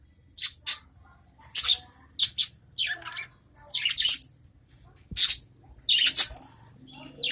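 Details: Adult budgerigars in a cage trading calls: separate sharp, raspy, high chirps and squawks in uneven clusters, with silent gaps of up to a second between bursts.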